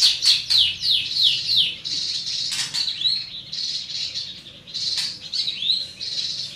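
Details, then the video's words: Greater green leafbird, described as large-bodied with a strong voice, giving rapid high whistled chirps mixed with buzzy hissing notes, somewhat noisy and compressed in tone. "Burung Cucak Ijo Body Besar Suara Tembus"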